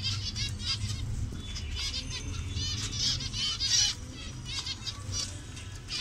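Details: Zebra finch colony in Bangladesh with mixed colour variations. Moderate nasal chattering from several birds, mixed with wing flapping and a low background rumble.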